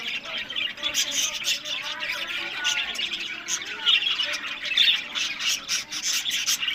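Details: Flock of caged budgerigars bred in Larkana, Sindh, giving harsh repeated squawks and scratchy chatter over constant background twittering, all birds calling at once for nearly seven seconds.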